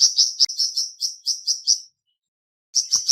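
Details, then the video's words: Flamboyan bird, a kept songbird, singing: a run of quick, high, sharp chirps about five per second. The run breaks off and leaves a silent gap, then the chirps start again. "Terapi Cepat Bikin Burung Flamboyan Buka Paruh dan Gacor"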